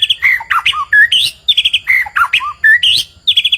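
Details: Murai batu, the white-rumped shama, in a tutoring recording aimed at provoking a nearby bird: choppy mix of sharp chips, short slurred whistles and quick rising notes in rapid bursts, with soft low hum beneath.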